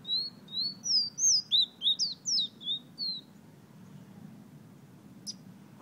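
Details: Fire-red bird from Guyana whistling: a series of clear, high whistled notes, some rising and some falling slurs, given about three per second for three seconds, then quiet room background with a faint click.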